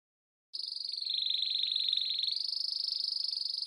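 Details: Canary singing a rapid, rattling high trill held at a steady pitch, dipping slightly lower midway before rising back, pulses evenly spaced and continuous for about three seconds, with no other clear sounds.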